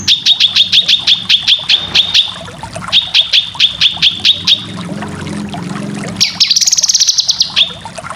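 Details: Cucak kinoy in a full, dense training recording for competition birds: runs of sharp repeated notes, about six per second, then a rising whistled phrase and a bright high trill. A low hum underneath.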